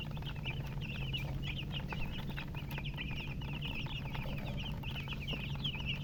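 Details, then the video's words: Many baby chickens peep at once: bright, quick, downward-sliding chirps tumble over each other without break, backed by a persistent low-pitched hum. "Baby "Chicks Chirping" Sound"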